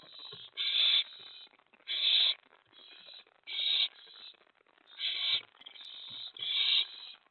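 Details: Owl at the nest during a mouse and rat delivery in the early hours of May 24 2017, an owlet present. Rasping, hissy screeches come in pairs and singles, some running together, about six bursts in all.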